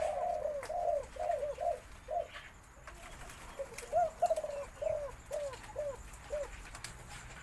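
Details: Spotted Dove of white colour variety crowing a full four-kuk khan yon phrase in a deep, medium-to-large voice, replayed from a recording: soft rounded coos repeated in two runs, each note dipping slightly in pitch.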